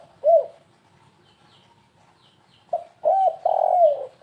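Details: Spotted dove giving a stuttering 'kuk3 gagap' bird-lure call: one arched coo, a quiet gap of about two seconds, then a phrase of soft, hollow coos with a long note that slides down.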